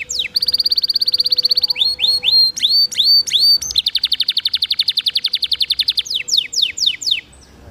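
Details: Prolific singing canary on a training recording mixed with trickling water, meant to set other canaries singing: a long buzzy trill, looping upslurred whistles, then a sustained rapid rattle followed by descending sweeps over soft hiss.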